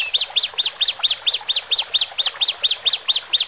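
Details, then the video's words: Horsfield's bush lark, male and female, singing to help newly caged birds adapt: a regular series of sharp, high rising-then-falling notes, about fifteen in under four seconds. "Pancingan Branjangan Jantan Dan Betina"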